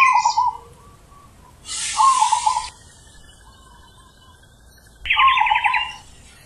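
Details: Zebra dove singing deep ulem-style coos. Three trilled, rolling low phrases spaced a few seconds apart, the middle one overlaid by a brief burst of hissing noise, with faint softer coos between them.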